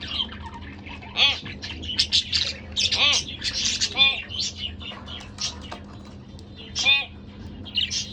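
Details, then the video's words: Pet budgerigar couple calling: rapid squeaky chatter punctuated by loud, ringing contact chirps around one, three, four and seven seconds, with a low background hum throughout. "Lovely Couple Budgerigar Bird"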